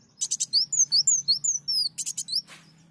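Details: Sunbird singing as a lure: a run of quick, high, slurred whistles between short buzzy rattles, with a faint low hum in the background.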